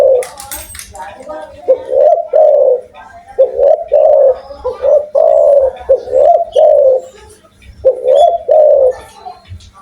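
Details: Deep repeated cooing of a loud, lively Spotted dove from Indonesia, phrases of paired coos roughly every second or two, with clicking and faint high chirps behind and a steady low hum.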